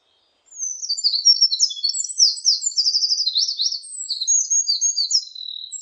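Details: Eurasian wren singing a loud, rapid, high-pitched song of tumbling trills and sharp twittering notes that start after a short silence and run nearly unbroken for about five seconds, with no other sounds.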